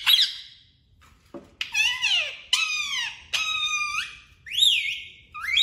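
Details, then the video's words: Talking parrot mimicking speech, "mummy papa": a run of clear, tonal, whistle-like syllables with sweeping rising and falling pitch, some held and wavering, separated by short pauses. "Talking Parrot 🦜 Mitthu 😍 mummy papa 😍 मम्मी पापा बोलने वाला तोता मिट्ठू"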